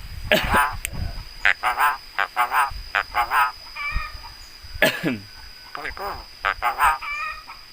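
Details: Javan myna, a bird known for its very loud voice that imitates human sounds such as greetings and coughing; a string of harsh, voice-like harmonic syllables, some rising and falling, delivered in uneven bursts.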